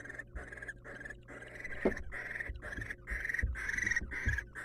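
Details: Inside a nest box where a wild male barn owl delivers a mouse to his female, rasping hiss bursts follow one another closely, some drawn out, with a low hum and occasional thuds of movement.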